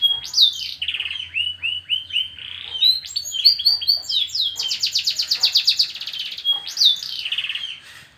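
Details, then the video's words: Klaten canary with new plumage in vigorous song: a clear whistled note repeated in a steady series, then a dense fast trill and sweeping high slurs, with a faint low hum beneath the first half. "Burung kenari gacor bulu baru."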